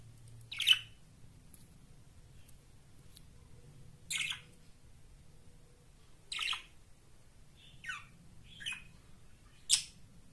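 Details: Two budgerigars (Melopsittacus undulatus) playing together indoors give short, scratchy chirps every second or two against a quiet indoor hum.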